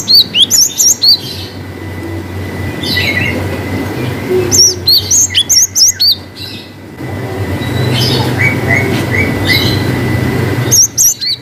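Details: Cinereous tit in a long-whistle song, giving several short runs of high upslurred whistles. Between them are stretches of rushing broadband noise and a few lower, softer chirps.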